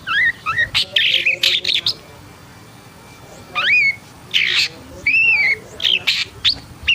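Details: Agitated long-tailed shrike mixing harsh scratchy bursts with clear slurred whistles, some arching and some rising. The phrases come in clusters separated by short silences.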